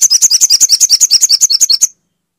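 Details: Crimson sunbird song played to prompt a silent bird to sing: a fast, even series of high, sharp chirping notes, roughly nine per second, running for about two seconds and then stopping cleanly.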